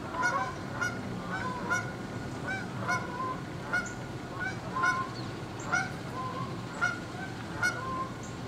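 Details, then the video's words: Six Canada geese flying in formation along the St. Johns River, Jacksonville, Florida, at 7:33 am at sunrise on October 13, 2015, give loud nasal two-part honks overlapping roughly every second over a steady low rumble. "Canadian Geese heading"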